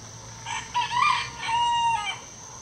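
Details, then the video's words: A 3-year-old Gold Sebright bantam rooster, the loudest on a backyard farm flock, crows in the morning: a short, thin, high-pitched crow in several rising then level strained notes over faint background hum. "Gold Sebright Bantam Rooster Chicken Crowing"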